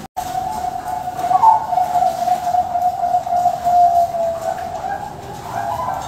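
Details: A captive-bred male zebra dove in Tasikmalaya gives a soft, low, rolling coo that wavers and runs almost unbroken for several seconds, over a steady background hiss.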